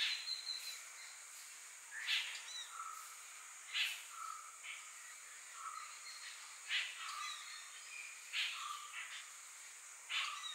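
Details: Heart-spotted woodpecker near Thattekad in the Western Ghats, Kerala, giving sharp, squeaky notes about every one to two seconds, each followed by a lower short note, over a steady high insect hiss.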